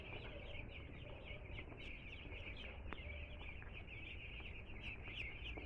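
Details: Two-day-old chickens newly arrived at home, a group peeping constantly: dense overlapping high cheeps form a steady band, with a low rumbling hum beneath throughout.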